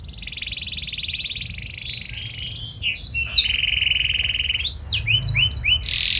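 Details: Actively singing canary with special melodic phrasing, used to trigger replies from other canaries: a long sustained buzzy trill, then brisk whistled sweeps and a rising note, over light background hiss.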